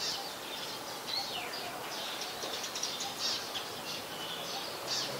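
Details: Brown-throated sunbird (Anthreptes malacensis) at Ubon Ratchathani, Thailand, on 5 February 2020, giving thin, high chips and short sliding notes, repeated irregularly every second or so over a steady hiss of background noise.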